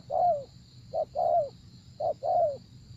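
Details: Spotted dove cooing while being used to lure a wary wild dove. Three mellow, low phrases, each a short hoot then a longer note that slides down, spaced about a second apart, with a thin steady hum in the background.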